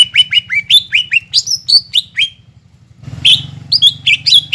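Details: Greater green leafbird singing to provoke a caged bird that won't sing: a quick series of rising and falling bright whistles, a short gap, then more loud ringing notes over a low hum.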